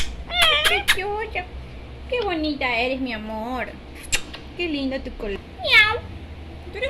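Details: A female parrot talking with her papa and mama: short, speech-like phrases, its nasal voice sliding up and down in pitch, with a few sharp squeaky bursts between words.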